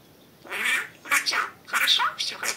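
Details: Pet budgerigar talking indoors: three bursts of rapid, raspy, high-pitched mimicked speech syllables with whistled accents, separated by short pauses.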